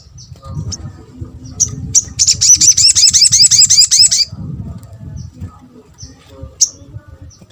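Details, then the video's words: Sunbird (sogok ontong) calling, used as a lure to get other sunbirds to answer quickly; a two-second burst of rapid, high, sharp chattering notes, nearly three per second, between scattered thin single chips. "MUDAH BIKIN SOGON ( sogok ontong ) LAIN BUNYI GAMPANG RESPON"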